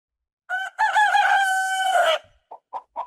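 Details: Rooster crowing, a call said to announce the start of the day: one loud harmonic crow of about one and a half seconds, slightly wavering and then falling at the end, followed by three short clucks.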